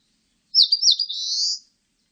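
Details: Eastern crowned warbler song: a high, clean phrase of two or three quick slurred notes dipping and rising, then a long drawn buzzy note that swells slightly before fading, all very high-pitched against silence.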